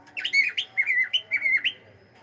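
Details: Cockatiel kept as a pet, saying hello: one rapid run of about seven bright, bending whistled notes, rising and dipping, then quiet.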